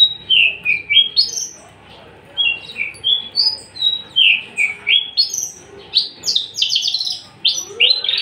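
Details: Caged Javan bush lark, an unringed, tame male ready to breed and in full voice, sings a lively run of bright slurred whistles. The phrases are rapid and varied, and near the end they turn into dense, scratchy trills.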